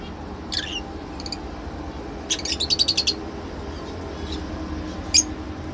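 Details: Lovebird giving a short run of about eight quick, high chirps, plus a few isolated squeaky notes before and after, against a quiet low background.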